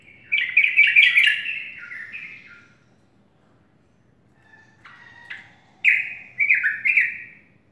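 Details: Sooty-headed bulbul singing in the morning: two short bubbly phrases of quick, tumbling whistled notes, the second after a pause of about three seconds, over a soft low background hum.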